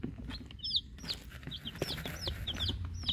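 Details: Eleven week-old hatchery chicks, Rhode Island Reds, Black Sumatras and a mystery chick, giving loud high peeps, some short flat trills and some falling whistles, in quick succession over rustling and a low rumble.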